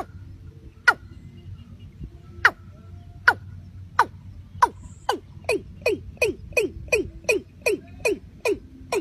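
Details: Watercock calling: sharp, downward-dropping notes, at first spaced about a second apart, then speeding up into a rapid, even run of repeated notes, over a faint low hum.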